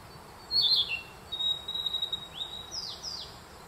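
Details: In a spring forest at Myojin, Kamikochi, Japan, June 2021, a Narcissus flycatcher sings alongside a Black Bunting: a burbled high phrase, a long level whistle, then rising and steeply falling whistled notes.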